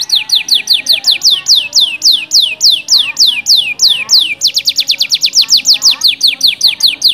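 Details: Canary lure song to stimulate other canaries to sing: a steady series of loud, sharply descending whistled notes, about six per second, continuing throughout with slight changes in pace.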